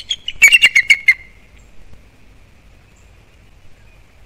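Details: A bald eagle at its nest on Captiva/Sanibel Island, Florida, calling in alarm at something nearby in December; a single burst of about six quick, thin piping notes, then a fading squeal and near silence.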